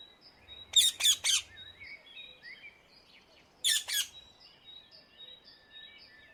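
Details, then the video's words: Free-flying wild rose-ringed parakeet in the Netherlands gives two bursts of harsh, screechy squawks, three quick notes then two, with faint high chirps from other small birds between the bursts. "Indian ringneck parrot, صوت ببغاء الدرة في الطبيعة"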